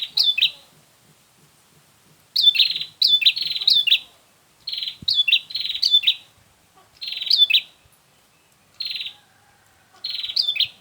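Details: Bar-winged prinia sound used as a lure for trapping birds: bright, sharp chirping phrases of quick buzzy notes in short bursts, separated by brief silences of one to two seconds; faint low ticking at the start.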